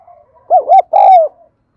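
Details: Lure spotted dove giving its urging call: a faint murmur, two quick hollow bouncing hoots, then a longer falling coo, clean with no other sounds.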